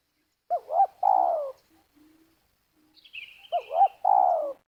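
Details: Spotted dove calling on the ground where birds are lured into snares, Liwa, West Lampung, Indonesia. Two full phrases, each with two bouncing short notes and then a long descending coo. A thin high whistle from another bird is heard between them.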